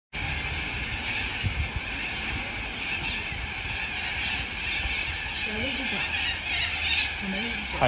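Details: Huge flock of sulphur-crested cockatoos in Melbourne, Australia, filmed on an iPhone 11 on 2 February 2022: a dense, continuous wall of harsh overlapping screeches, with a man's voice speaking Cantonese near the end.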